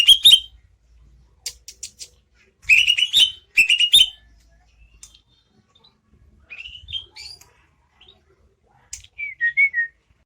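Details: Greater green leafbird, a kept songbird in lively full song: short bursts of rapid chirps around a strong note that sweeps upward, repeated several times with pauses, then softer slurred whistles falling at the end; quiet background.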